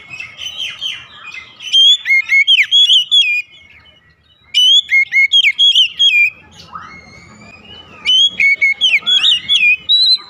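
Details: Morning song of an Oriental magpie-robin: bursts of rapid, sweet whistles and twittering notes in three separate spells, with a rising slurred whistle between them and faint low background noise.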